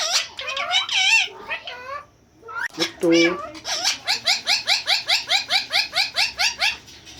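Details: Caged ringneck parrot talking in Hindi indoors: shrill, nasal speech-like phrases, a short pause, then a steady run of about fifteen sharp squawks, roughly two to three each second.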